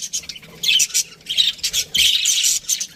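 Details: Aviary budgies give loud, harsh chirps and squawks in quick succession, several short bursts within a few seconds, clear and close.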